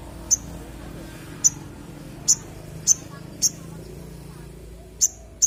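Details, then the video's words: Crimson sunbird giving single sharp, very high-pitched chips at irregular intervals of about half a second to a second, with a low background hum throughout. "BURUNG SOGON GACOR"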